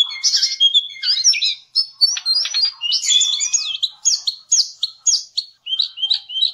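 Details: Javan cochoa song used to tutor songbirds: mixed bursts of chatter and sharp whistled notes, then a regular series of short downward whistles, each phrase separated by brief pauses.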